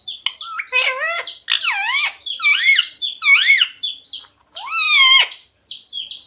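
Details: Talking parrot repeating phrases such as radhe radhe, sita ram, jai shree ram and mummy papa. Its mimicked syllables are rich and nasal, with wavering rising-and-falling tones in several spaced bursts, recorded indoors.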